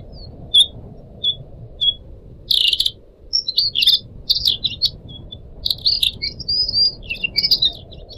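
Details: Kept Pied Triller singing: several isolated high chips, then repeated loud buzzy bursts and quick rising and falling whistled notes in irregular phrases, over soft constant background noise.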